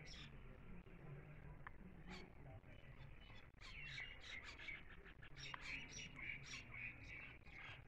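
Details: Newly trapped Bimaculated lark in Shamani, KTK, Khyber Pakhtunkhwa, on 8 February 2024, giving quick runs of short, high chirpy notes that grow busier in the second half, over a steady low hum and faint background voices.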